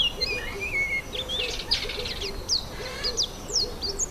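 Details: Yellow white-eye, an active, noisy bird calling continually to keep in touch, heard while eating an apple; thin high whistled and chirped notes, some rising, others sharply down-slurred, given in quick irregular bursts over a low background hum.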